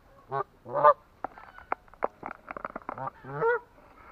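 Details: Atlantic Canada goose calling: a few loud, deep, harmonic honks at the start and end, with a rapid series of short clicking notes in between.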